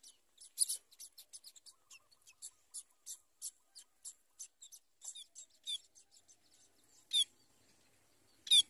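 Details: A family of society finches (white-rumped munia) gives a rapid run of thin, high chirps and peeps, several a second, with a few louder sharp notes breaking through.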